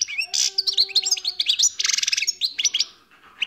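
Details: Song of a wild European goldfinch, a lively jumble of high tinkling notes and a quick buzzy rattle in the middle, trailing off into a few thin chirps.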